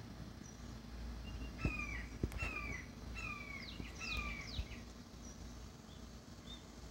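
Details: Resident pair of red-shouldered hawks eating chicken hearts together as their juveniles beg in the background; a run of four or five falling, slurred squeals mixed with higher quick downward notes, soft clicks and scattered taps.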